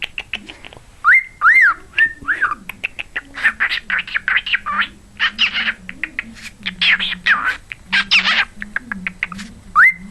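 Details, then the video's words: Pet cockatiel (quarrion) that sings Jingle Bells, wolf whistles, talks and barks like a dog: arched whistled notes open and close the passage, with rapid chattering, speech-like bursts between them and a person's voice in the background. "my cockatiel singing Jingle Bells and talking"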